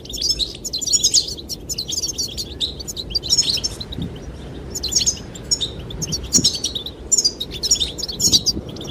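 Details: Goldfinches singing to win the female: repeated bursts of rapid, high, jangling twitters about every second, over wind and faint low thumps.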